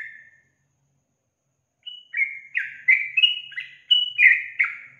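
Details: Female sooty-headed bulbul (Pycnonotus aurigaster) calling to draw answers from males, giving bubbly, liquid whistled notes in a quick chattering run of about three per second after a short pause.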